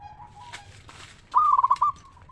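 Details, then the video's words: Indonesian local zebra dove with a clear 'ngeristal' voice, used to lure other zebra doves into song. A faint low coo and light rustling come first, then one loud rolling phrase of rapid pulsed notes. "Perkutut Lokal Gacor RAJA PIKAT Suara Ngeristal Paling Ampuh Bikin Semua Perkutut Nyaut Gacor"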